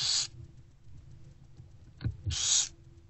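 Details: Barn owlets in an owl box, fed by their mother during late morning daylight on 15 February 2024: a harsh hiss, a pair of soft knocks, then another loud rasping hiss, over a low hum.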